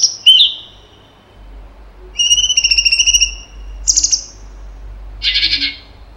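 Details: Cucak cungkok with varied 'tembakan' phrases: a falling whistled note, then a rapid pulsed trill, a short high buzz, and finally a harsh scratchy burst, separated by short silences.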